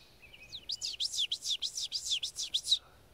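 Ovenbird song: a loud, ringing series of about eight sharp two-note phrases, rising in volume, repeated rapidly over two seconds, with faint background hiss.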